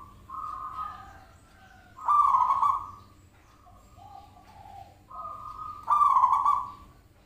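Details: Zebra dove call used as a lure to draw an answer: soft sustained whistled tones lead into two loud, rough, vibrating coos, with quieter lower notes in between.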